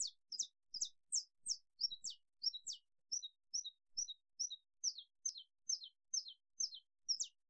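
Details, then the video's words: Saffron finch (Sicalis flaveola) singing a steady run of sharp, high chirps, about two per second, some notes sliding down, others clipped, against a quiet background. "Canto do canário da terra"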